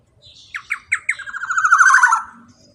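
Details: Male black-naped oriole (kepodang emas) giving a long rolling 'ropel' phrase, used to prompt silent birds to sing: a few loud slurred notes, then a rapid, buzzy, even trill that swells and fades over about two seconds.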